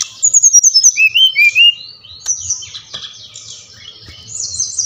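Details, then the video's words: Brown-chested jungle flycatcher song played so that captive birds answer: a quick series of short descending whistles, then lower slurred notes, followed by softer high scratchy warbling, over a faint low hum. "Sikatan Rimba Dada Coklat | putar ini pasti SRDC anda ngamuk gacor dengan suara ini"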